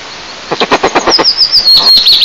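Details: Male and female eastern imperial eagles at a nest about 20 m high in Tatarstan, Russia, mid-May 2024, incubating; a rapid burst of harsh barks, about eight in a second, then high, thin warbling from a small bird.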